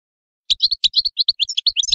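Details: A short phrase of European goldfinch song: quick, bright chirps that run into a tumbling twitter, clean and close.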